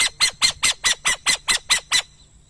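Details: Burrowing owl uttering a rapid run of nine rasping, scratchy notes, about four per second, evenly spaced and of equal loudness, ending abruptly; quiet surroundings otherwise.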